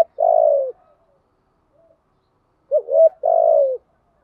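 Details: Decoy spotted dove cooing to attract wild doves, thúc gù and gáy gọi styles; a long falling coo, a pause, then a wavering double note followed by another drawn, descending coo.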